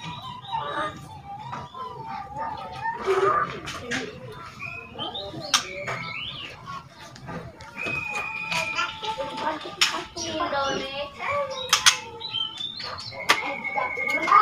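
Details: Young spotted white-rumped shama, two months old, learning to sing, giving rattles and whistles meant to provoke other shamas: sharp clicking rattles mixed with clear, steady whistled notes and quick upward slurs, delivered in a busy, uneven stream.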